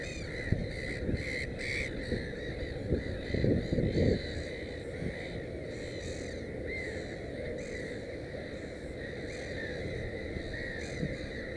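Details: Black-headed gulls at a nest with three chicks, 16 May 2015, give harsh, rasping calls in short bursts, louder in the first few seconds, over steady low wind rumble.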